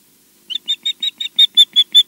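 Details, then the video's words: An Osprey at Loch Garten, Scotland, back at the nest after a fly-around, gives a quick run of about nine sharp, high whistled chirps, roughly five a second, growing louder toward the end. "back chirping"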